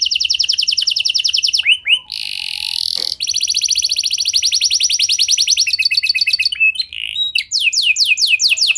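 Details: Canary song to make other canaries join in: rapid buzzy trills broken by a harsh noisy burst, then a long fast rolling trill and varied chirps and sweeps.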